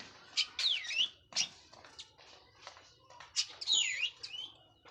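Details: Orange-headed thrush of the local Cililin type, just out of moult, singing in the open plong and teler style: loud high sweeping whistles and looping slurred notes in two bursts, with softer scratchy notes between and a low hum beneath.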